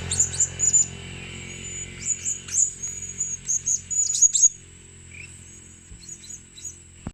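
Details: Blue-crowned hanging parrot calling to lure birds: clusters of very high squeaky chirps for about four seconds, then faint scattered notes over a low background hum.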